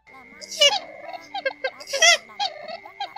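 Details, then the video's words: Purple swamphen, a lone bird calling to the flock, gives two loud, harsh, nasal shrieks about a second and a half apart with softer clucking between, over a steady electronic hum; a recording used as a net-trapping lure. "Tiếng Trích Cồ Khúc Kêu Hay Nhất"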